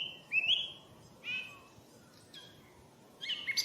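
Song thrush singing: a run of separate clear phrases, a sliding whistle, a rich buzzy note, then a quick, complex flourish, over a faint low hiss.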